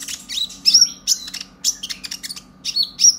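Purple-throated sunbird giving rapid, thin, high chirps and twittering bursts about every half second, over a faint steady electrical hum.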